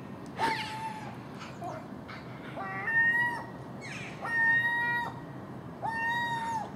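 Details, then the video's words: Common gulls feeding on household garbage left out overnight, early morning, with magpies and crows around; drawn-out, even-pitched mewing calls with rich overtones, given in several bouts a few seconds apart over a low background rumble. "Common Gull Magpie and Crow making noise at early morning"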